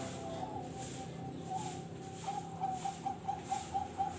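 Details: Contest zebra dove, often nominated at regional and national competitions, singing a phrase that quickens into a steady series of short, clipped, pulsed coos at one pitch, about four per second toward the end, over low background hum.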